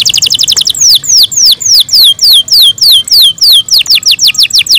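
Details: Canary cared for at home, singing in the morning: a rapid high trill, then evenly spaced loud downward-swooping whistles, about three per second, speeding up again at the end.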